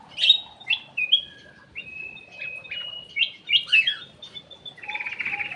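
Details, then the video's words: Cucak emas (kutilang emas) kept in an aviary, song used as a lure (pancingan): a string of clear whistled notes, some sliding and some held flat, with a burst of rapid warbled notes near the end. "PANCINGAN CUCAK EMAS \ KUTILANG EMAS"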